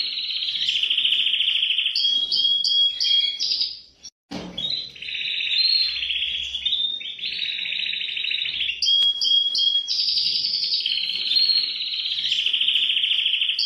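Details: Canary singing a long, loud run of rolling trills and buzzy warbles, with bright whistled notes slipped in; a short break near the middle comes before the trilling picks up again and goes on steadily.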